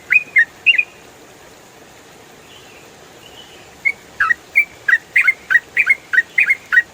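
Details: Yellow-vented bulbul (trucukan) in ropel style, recorded as clear training audio for songbirds: short bright chirps, a brief burst, a pause, then a quickening run of sharp two-part notes over a steady faint hiss.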